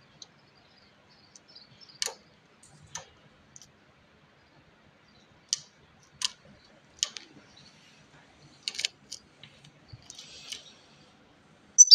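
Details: Only scattered sharp clicks and ticks break a quiet background, with no bird song or other animal voice.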